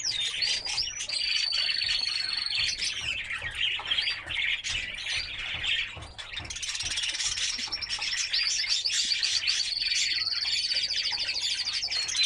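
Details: Song of a white canary used to excite hens for breeding: continuous high warbling with bright chirps, long steady whistled notes and a brief dip near six seconds before the trilling resumes.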